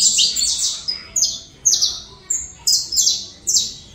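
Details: Saffron finch giving Colombian-style song: clear, separated high notes, each a short bright chirp dropping in pitch, spaced roughly half a second apart.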